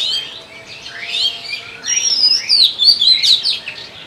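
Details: Breeding song of an oriental magpie-robin, a rapid, rambling stream of varied whistles, sweeping slurs and warbled notes, growing louder and more intricate toward the end, with a faint low hum underneath.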